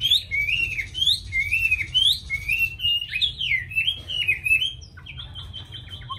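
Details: Hand-tamed Chinese hwamei kept in a cage in Hanoi, Vietnam: looping whistled notes that dip and rise about once a second, then quick downslurred trills and a series of short clipped chips near the end.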